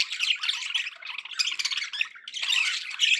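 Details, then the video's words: Pet budgerigars making happy sounds indoors: busy scratchy chattering and squawky warbles, continuous with short pauses. "happy budgie sounds"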